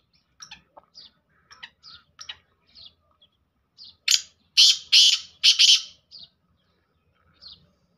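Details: Black francolin calling: a few faint scratchy notes, then a loud harsh series of three grating, buzzy phrases in quick succession, followed by quiet clicks.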